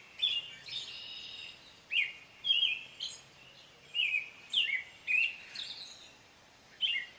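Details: Song of an American robin, with separate bright, warbled phrases about every half second to second, some rising and some falling, against a quiet noisy background.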